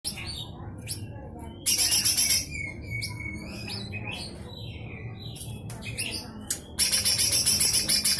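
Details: Lesser green leafbird, likely caged, giving a full harsh rattling song meant as tutor material for other songbirds: two loud buzzy rattles of rapid, evenly spaced notes, joined by thin whistled phrases and soft chatter, over a low background hum.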